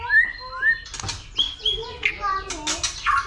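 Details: Caged white-rumped shama singing a fighting song, stimulated by a female: clear whistled notes rising and falling, short slurred phrases mixed with clicks and chatter.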